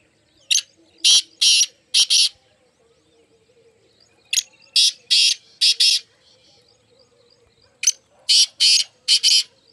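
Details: Black francolin call, one of four birds present: three harsh, grating phrases of four or five buzzy, broadband notes each, spaced about three seconds apart, with a faint low hum beneath.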